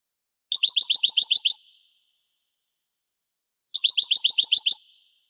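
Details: European goldfinch singing in 1998: two separate bursts of about a second each, every burst a rapid string of near-identical bright, buzzy chirps, with silence between them.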